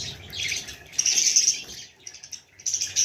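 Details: Harsh, buzzy chatter from a baby budgerigar, then a few thin squeaks and sharp chirps near the end.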